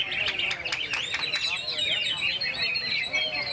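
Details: Greater green leafbird singing at the Piala Andhang Pangrenan 3 songbird contest (26 February) in the main class: rapid, varied high whistles, sharp chips and slurred notes, mixed with other singing birds, a murmur of voices and music.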